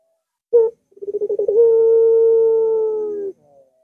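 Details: Barbary dove singing a long-voiced phrase meant to set a reluctant dove cooing: a single sharp note, then a rapid pulsing roll that runs straight into a sustained, slightly falling coo lasting nearly two seconds.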